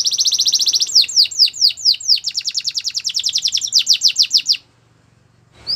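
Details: Belgian canary morning song: a rapid high trill shifting into slower repeated descending swooping notes, then faster rolling phrases, ending in a short silence.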